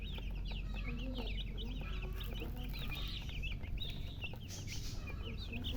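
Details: A crowd of baby chickens, coloured chicks wanting drinking water, keeps up rapid high peeping chirps, short slurred notes tumbling one after another without pause, with low background hum throughout.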